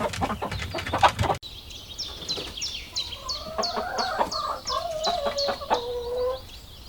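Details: Rooster crowing among chickens foraging in grass alongside rabbits: a long, wavering, harmonic call of about three seconds, with clucks and scratching at the start and a steady series of high, falling chick peeps throughout.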